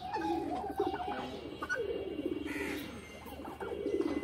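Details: Pigeons playing in a loft give low, rolling, throaty coos that overlap as several birds call at once, forming a continuous murmur broken by short higher squeaky notes, over a faint background hiss.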